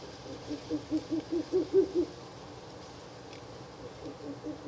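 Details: Nighttime Ural owl near its nest box, 16 April 2024, third night of visits: a quick run of about eight soft low hoots rising slightly in pitch, followed by a fainter answering series.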